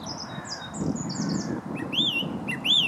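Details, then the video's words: A song thrush sings by a towpath near Stoke Lock on the River Wey, Guildford: high, clear whistled phrases, then a looping rising-and-falling note repeated twice, over a low, steady rumble. "Song thrush sings"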